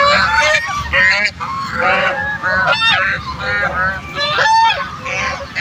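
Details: A duck calling to others, its loud nasal honks mixed with more calls from the group, arriving in irregular clustered bursts about once every two seconds.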